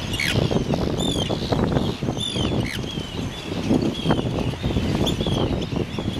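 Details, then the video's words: Several Arctic terns calling on Inner Farne in the Farne Islands, Northumberland, UK, on 6 June 2013, recorded with a Canon PowerShot SX30 IS; frequent grating, down-slurred shrieks overlap, backed by heavy buffeting wind noise. "Arctic Tern (Sterna paradisaea)"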